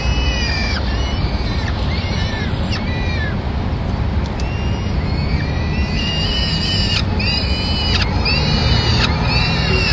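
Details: At a Madrid peregrine falcon nest, 25 April 2016, the female delivers a pigeon and feeds the young. Harsh, drawn-out wailing cries come in scattered bursts, denser toward the end, over a continuous low rumble.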